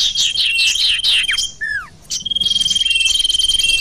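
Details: Lure audio for trapping sirtu birds: busy high twittering and a sustained thin whistle, a few clear down-slurred notes near the middle, then a fast even rattling trill.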